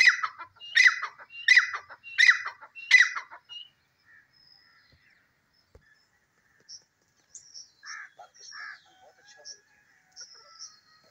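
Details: Grey francolin, called desi teetar, giving its lively call: four loud, harsh, ringing notes repeated quickly at an even pace, then quiet with faint chirps from other small birds in the background.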